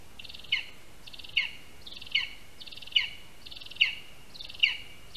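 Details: Lesser spotted eagle at a Latvian spruce nest on 22 August 2021, 1:38 PM, as a first prey item, a rat, is brought and handed over in the tree. Six sharp, high yelping notes come about every 0.8 seconds over faint background hiss.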